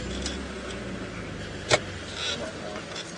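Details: A vehicle rumbles steadily through the whole stretch, with a single sharp click near the middle and faint indistinct voices, and no animal sound.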